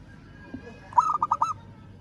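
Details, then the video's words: A local zebra dove calls to a rival with one brief phrase of about five short, bubbling coos in fast succession, set over a quiet low rumble. "Perkutut Lokal Suara Memanggil Lawan"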